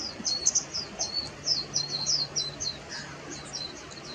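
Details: Warbling white-eye (Zosterops japonicus) giving a quick run of thin, very high chirps and twittering notes, several per second and unevenly spaced, over a faint low hum.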